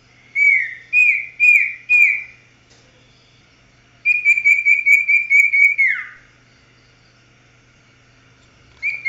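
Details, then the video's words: Common iora singing: a run of four loud whistled notes, each starting low and rising, then a rapid series of about ten clipped whistles at one pitch ending in a downward slur, with silence between phrases. "Suara cipo/sirpu jos"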